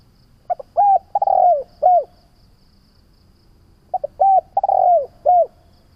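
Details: Cooing spotted dove, a recording played to train decoy doves to call. Two full phrases about three seconds apart, each with short clipped notes and then drawn-out, falling, hollow coos. Nothing else is heard.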